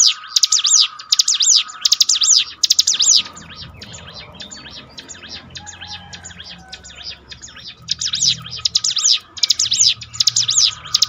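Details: Bar-winged prinia song used to train and rouse kept birds: bursts of high, buzzy arched notes repeated rapidly, broken by a quieter middle stretch with faint low rumble and a steady background tone.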